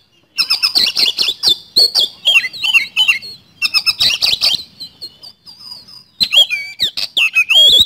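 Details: Actively singing Oriental magpie-robin, fast rolling 'nembak' song used to trigger others: dense rapid chatter bursts alternating with looping whistled slurs and short gaps.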